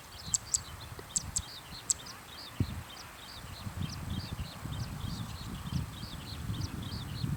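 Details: Zitting cisticola calling from a field in the evening: quick series of short high ticking notes repeated evenly, with a few louder sharp clicks early on and low rumbling noise underneath.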